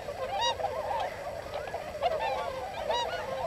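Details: Tundra Swans wintering in rice-field country at Yasugi, Shimane, Japan, hundreds gathered on the plain; constant babble of shrill, nasal, bugling honks from many birds, a few louder individual calls standing out.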